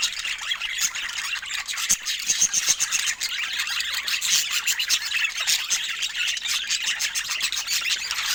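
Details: Pet budgerigars chirping and chattering continuously, a dense flock of overlapping high, scratchy warbles and short squeaky notes with no pauses, forming a steady busy twittering chorus.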